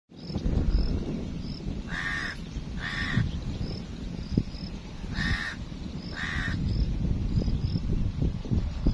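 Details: Crow described as angry gives four harsh, hoarse caws, two close together, a pause, then two more, over a constant low rumble of wind or traffic, with a thin, high chirp repeating faintly throughout.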